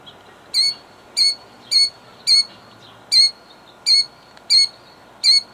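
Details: Eight evenly spaced, shrill, ringing notes about every 0.6 seconds from a killdeer mother protecting her eggs in Jackson, New Jersey, 2008, steady and insistent against a quiet hum.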